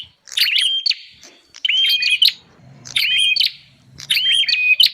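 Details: Bar-winged prinia call played as a lure for wild birds: four loud bursts of clicks and a flat whistled note, spaced about a second apart, with quiet pauses and a faint low hum between them.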